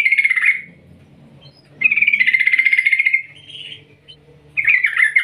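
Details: Long 'ngerol ngetir' rolling call of a yellow-vented bulbul, played to prompt other bulbuls to sing. Three bursts of rapid, chattering trilled notes, the middle one longest at about one and a half seconds, separated by quiet gaps.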